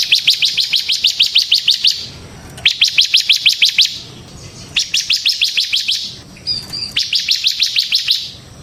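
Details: Bar-winged prinia in ngebren song, intended to lure and tutor other prinias: four rapid bursts of dense, high, repeated notes, each around two seconds long, with short gaps between.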